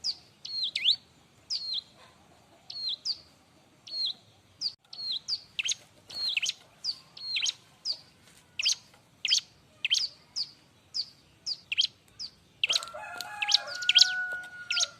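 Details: Bar-winged prinia in loud, busy song used to tutor and provoke young prinias: a long series of high, sharp chirps in quick pairs and triplets, ending in a denser burst with lower whistled tones.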